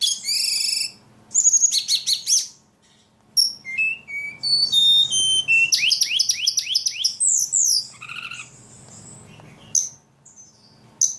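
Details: Highly vocal ledekan delivering a rich medley of sharp chirps, descending whistled slurs and rapid buzzy rattles, phrases separated by brief silences.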